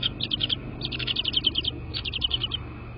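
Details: Bald eagle at its nest on a live cam, 22 February 2024, 18:13: continuous high, squealing chittering notes in three rapid runs filling nearly all of the short recording, with faint low hum.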